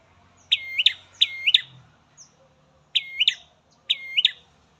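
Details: Ashy prinia (prenjak merah) in a garden setting, four crisp, high, doubled phrases with a dipping, U-shaped sweep, two close together, then a pause and two more, with a brief faint note between and little background noise.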